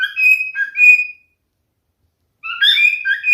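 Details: Two short snatches of song from a male cockatiel, clear slurred whistles with a pause of over a second between them, in a quiet setting.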